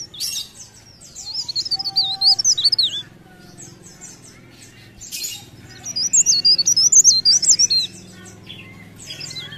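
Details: Two bursts of vigorous leaf warbler song, each a couple of seconds of rapid high, wiggling whistles. A quiet stretch with a few sharp ticks separates them, and there is faint background noise.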